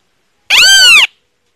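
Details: Great kiskadee uttering a single loud, harsh, strongly harmonic note about half a second long, bending upward and then down, with nothing else audible.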